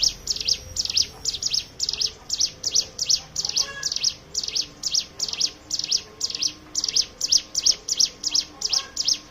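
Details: Continuous rapid Hill prinia song used as a lure to make other birds sing: sharp high chirps about three per second throughout, with faint lower calls in the background.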